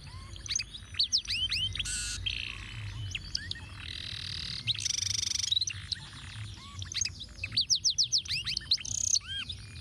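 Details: Canary singing ruwet-style tutoring song for other birds: arched whistles alternate with long harsh buzzing blocks, ending in a rapid burst of repeated sharp notes and a falling whistle.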